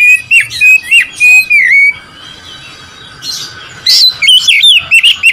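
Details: Oriental magpie-robin singing to provoke rival birds, with loud clear whistled phrases sliding up and down, then a near-silent pause of about two seconds before the rapid, varied whistling resumes.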